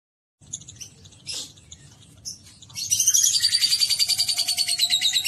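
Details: Pet lovebird giving ngekek, a long chattering song; scattered high chips first, then from about three seconds a loud, rapid, even trill of sharp high notes, about three or four per second, running to the end.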